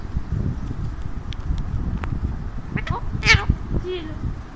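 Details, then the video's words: Alexandrine parakeet perched on its owner's hand, engaging in chatter: scattered clicks, then a loud grating harmonic squawk and a brief falling note near the end. "Beautiful Talking of Alexander Parrot"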